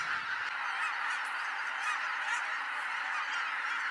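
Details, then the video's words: At dawn on Kabukuri-numa marsh, a vast flock of wild geese lifts off, its massed honking blending into one continuous, even roar with no single call standing out. "蕪栗沼・雁の飛び立ち 夜明けの蕪栗沼"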